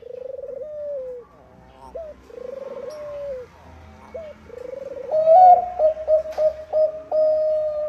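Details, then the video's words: Zebra dove of the Bangkok type, singing to set off other doves: soft rolling trilled coos with short rising tails, repeated three times, then a louder burst of rapid stuttering coos held at one pitch. "PANCINGAN PERKUTUT BANGKOK GACOR - PERKUTUT MALAS PUN IKUT BUNYI"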